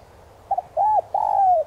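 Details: Decoy spotted dove in 'son' voice luring wild doves: a short doubled note followed by a rising-falling arched coo and a long, slowly descending drawn-out coo.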